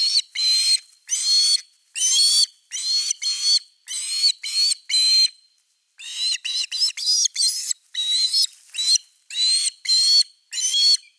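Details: Osprey at nest number 3 on 30 August 2021, evening fish at the nest: bursts of harsh, whistled, ringing notes, each burst a quick cluster of two to four notes, repeated steadily for eleven seconds with one short pause.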